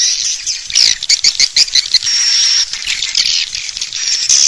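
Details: Lure sound to attract swiftlets to roost inside a bird house: rapid clicking chirps and twitters, then a sustained buzzy note with a fine high whistle, ending in more chirps.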